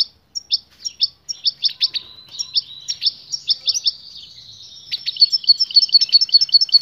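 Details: European goldfinch calls and song: bright, tinkling chirps in quick bursts from a female prompting the male to mate, joined by his twittering, liquid song that runs faster and denser toward the end.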